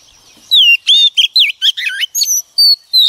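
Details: Female Oriental magpie-robin, wild-caught, singing to excite male birds. Bright, high whistles and twisting slurred notes follow each other quickly after a brief silence, ending on a sustained rising whistle.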